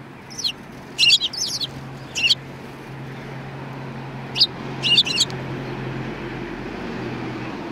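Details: Sparrows recorded 2 January 2019: two bursts of sharp, high chirps, the first a tight flurry around the start, the second a shorter cluster midway, then quiet with a constant low hum.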